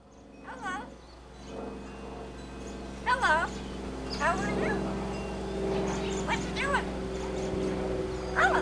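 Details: Pet blue-fronted Amazon parrot on its outdoor playpen reciting its vocal repertoire: a run of wavering, speech-like phrases, several of them quick bursts, over a steady low hum.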